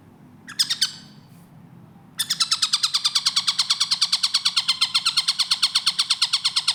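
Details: Clear, fast-paced tengkek buto, or Long-tailed shrike, recorded to train cage birds: a few brief harsh notes and a quiet gap, then a long, steady series of buzzy, overtone-rich notes pulsing about three times a second.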